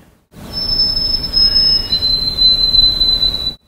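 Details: A White-throated Sparrow sings 'oh sweet canada', a clear high note then a lower, slightly fluttering held whistle, ending with two 'canada' phrases after earlier singing three, over faint low rumble.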